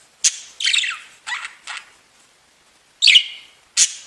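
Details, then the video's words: Pet budgerigars chirping: a few separate bursts of scratchy, warbled chirps broken by short pauses, then a sharp squeaky note that slides downward. "Веселое пение волнистых попугайчиков / Funny singing of wavy parrots"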